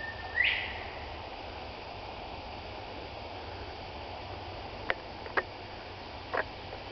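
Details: One of four Northern Bobwhites gives a single clear 'bob-WHITE' at Abita Creek Flatwoods Preserve, Abita Springs, Louisiana: a short low note, then a loud, sharply rising whistle, over steady hiss, with a few faint clicks later.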